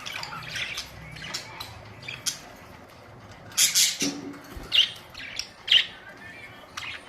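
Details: Colourful pet budgerigars, April 19, 2023: soft scratchy notes at first, then louder sharp high chirps near the end, about one per second.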